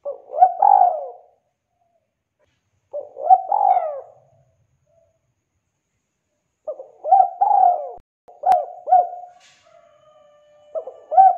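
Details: Spotted dove (tekukur) in full, active song, used as a lure to prompt silent birds to sing: low, mellow cooing phrases of several notes with a drawn-out middle coo, repeated in bursts separated by pauses of a few seconds.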